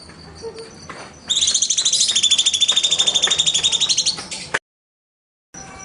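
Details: Cucak cungkok bulbul in the 'nembak' shooting style, recorded as a master track for training birds. A dense run of fast, harsh, regularly pulsed notes lasts about three seconds, then a brief silence follows.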